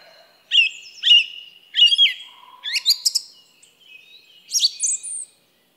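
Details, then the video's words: A song thrush sings loud, clear whistled phrases, the first repeated twice, then varied squeaky and fluty notes, with no other sounds. "Song Thrush Bird Sound"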